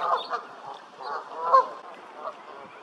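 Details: Canada goose calling with a run of short, rough, overlapping honks, one louder honk standing out midway, against a steady background hiss.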